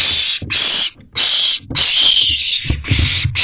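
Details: Owlets at a nest box at night, late June, 10:36 pm, kept on a camera. Harsh broadband hissing screeches of varying length, some about half a second and one stretching over a second, with short gaps between them.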